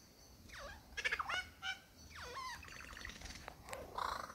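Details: A male superb lyrebird in the Dandenongs, displaying to a female, runs through a fast medley of borrowed sounds: steep falling whistles, rattling chatters, rich harmonic notes and sharp clicks, over faint background hiss.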